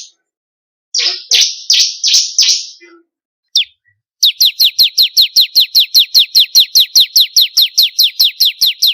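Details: Ciblek kristal (bar-winged prinia) song for training songbirds: a few buzzy rasping notes, then a long steady series of clear, sharply descending whistled chips repeated about three times a second.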